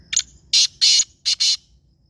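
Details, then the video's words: Close, loud black francolin phrase of five harsh, hoarse notes in about a second and a half, grouped as one, two, then two quickly. The background stays quiet. "black francolin nice voice"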